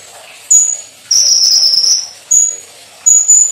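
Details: Olive-backed sunbird (kolibri ninja) giving very high, thin, level whistles: short notes and one longer slightly wavering whistle, spaced by brief pauses.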